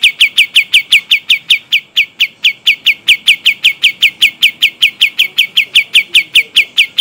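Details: Pied triller from Kalimantan in long rolling song: a steady, unbroken run of bright downslurred chirps, about two and a half per second, continuing throughout with even loudness and a clean background.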